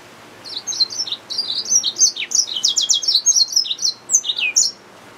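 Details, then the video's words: Hybrid finch mule of yellow-fronted canary sings a busy, high-pitched warble with rapid buzzy note clusters in the middle and sweet slurred phrases before falling silent. "SERINUS Mozambicus | سيرينوس موزمبيق | Yellowfronted canary mule | Hybrid Finch | Nature Bird sounds"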